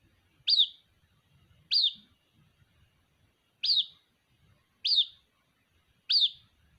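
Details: Young white-breasted waterhen calling to its mother, giving five clear, high-pitched peeps in a steady series roughly every second, each note a quick upward flick dropping off, over near silence.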